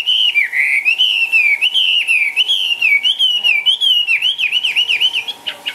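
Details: Caged Chinese hwamei hopping about and dancing as it sings a loud, continuous whistled melody of wavering, looping slurs, closing in quick repeated downward-swooping notes.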